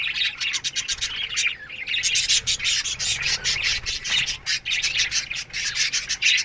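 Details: A colony of budgerigars chirps in its aviary in the morning: constant overlapping high chirps, ticks and warbles form a thick, restless chatter throughout.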